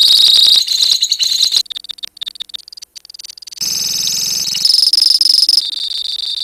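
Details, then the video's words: Colony lovebirds giving ngekek song: shrill rapid trilling, a stretch of broken chips, then loud sustained buzzy trills again, with a low hum beneath part of it. "KICAU LOVEBIRD KOLONI INI TERBUKTI HANYA BUTUH WAKTU 4 MENIT SAJA LANGSUNG NGEKEK"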